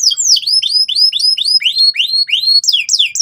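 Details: Canary singing loud and persistent gacor song for young canaries to copy: a steady series of curved, downslurred whistles, about three per second, ending in a few higher sweeping notes.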